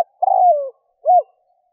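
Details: Spotted dove call from a 2021 recording used to lure wild doves: a long, low, falling coo followed after a pause by a short arched coo. No other sounds.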